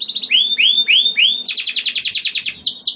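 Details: {'caption': 'Canary lure song meant to set other canaries singing: four loud, looping upslurred whistles, then a rapid, dense trill of short repeated notes that closes with a few falling chips.'}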